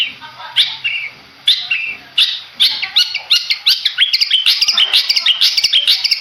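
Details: Contest long-tailed shrike of Madura stock starting with spaced scratchy notes and short warbles. These quicken into a dense, rapid chatter of high buzzy and whistled phrases.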